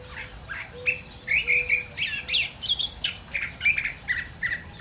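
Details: Curve-billed thrasher singing a varied run of short chirps, whistles and buzzy notes, some clear and some harsh, over steady hiss, with a soft low repeated tone beneath.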